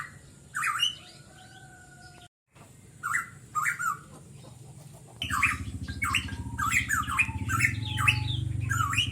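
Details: Pitohui song used as a singing lure: scattered harsh squawks and long thin level whistles, a brief cut to silence, then a dense burst of rapid squawky notes over a low steady humming drone.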